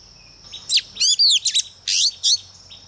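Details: Lure female Oriental magpie-robin, singing to excite males: rapid, harsh, scratchy phrases mixed with buzzy downward-sweeping notes in about six quick bursts, over a steady high-pitched background tone.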